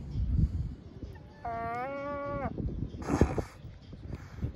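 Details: Gulls being offered a doughnut give odd, cat-like noises: one drawn-out, nasal, mewing note lasting about a second, steady then slightly rising, amid gusty wind and handling noise.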